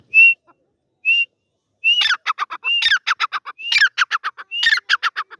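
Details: Partridge, known locally as teetar, giving clear level whistled notes spaced about a second apart, then breaking into loud grating bursts, each whistle followed by a quick rattling run of harsh pulses, repeated roughly once a second.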